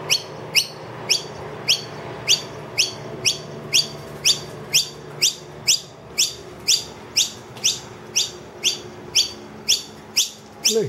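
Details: Noisy miner in a room with its two young, calling loudly for food as the feeder is empty; a long even series of piercing rising chirps, about two per second.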